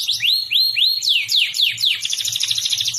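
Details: Canary song for teaching young canaries: a series of arched, swooping whistles about every quarter second, then steeper falling notes leading into a dense, bubbling high trill.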